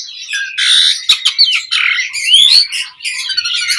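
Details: Asian pied starling song used as a lure to make other birds answer: dense, continuous jumble of harsh rasping notes and a clear rising whistle, with a brief click burst near the middle.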